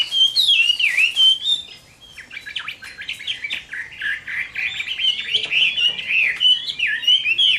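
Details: Chinese hwamei in fighting song during a summer midday, Vietnam: strong slurred whistles, a brief pause, then a dense stream of rapid warbled and buzzy notes rolling up and down.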